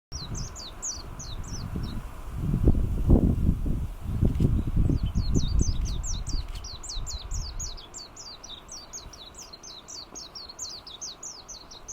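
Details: Warbling white-eye in Kunigami village, Yanbaru area of northern Okinawa, Japan, on 25 March 2022: high, thin descending chirps in quick series, a pause, then a longer twittering run, over low rumbling wind or handling noise.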